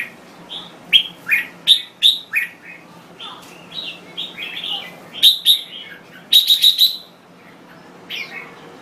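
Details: Thai red-whiskered bulbul in full voice, a string of sharp whistled notes repeated several times in quick succession, then a brisk rapid four-note burst and a quieter closing whistle.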